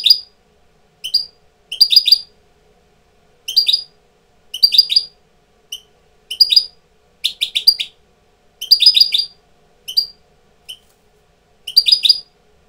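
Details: European goldfinch tutor bird coming into breeding condition, giving short bursts of bright, twittering chirps in clustered phrases about every second, with brief pauses between; no other sounds.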